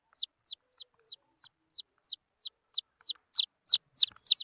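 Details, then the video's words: Wild chicken chicks: a steady run of high, sharply falling peeps, about three to four a second, growing louder and slightly faster toward the end, with no other sounds. "Suab mis nyuam qaib qus"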